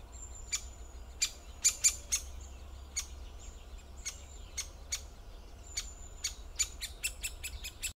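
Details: Great spotted woodpecker with scattered sharp, abrupt kik-like notes, some in close pairs, speeding into a quick run near the end, over a thin high whistled tone and quiet low background rumble.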